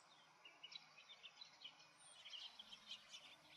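House finch giving a quick, jumbled warble of short high chirps and twittering notes, faint against a steady background hiss.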